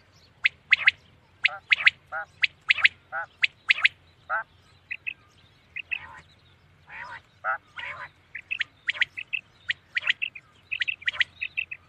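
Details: Common quail heard at night: a long run of crisp, sharp notes in pairs and triplets, with a few hoarse, downward nasal notes in the middle, then dense rapid clicking toward the end.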